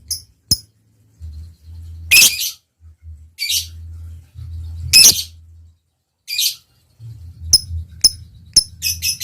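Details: Lovebird producing harsh, grating squawks a second or so apart, mixed with isolated sharp high chirps and then a quick cluster of clicks near the end; steady low hum between calls.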